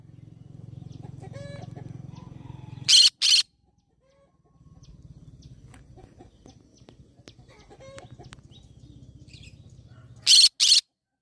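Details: Green-cheeked conure giving two pairs of short, harsh, screechy squawks, one pair near the start and another near the end, over a steady low mechanical hum with faint clicks between them.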